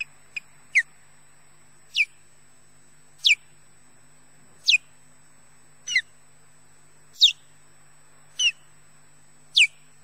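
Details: Male osprey at Loch Garten, Scotland, defending his mate and nest, gives sharp descending high chirps, one roughly every 1.3 seconds, with a faint steady high tone throughout.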